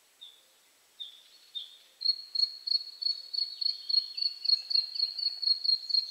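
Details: Bluethroat singing from bushes in Poland: a few spaced whistled notes, then a fast ringing series of loud, repeated ting notes, about four per second, steadily delivered like a trill.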